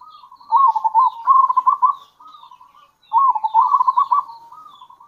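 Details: Local zebra dove giving kerot and bekur cooing to lure other zebra doves; two rolling phrases of quick stuttered coos about two and a half seconds apart, with faint high chirps behind.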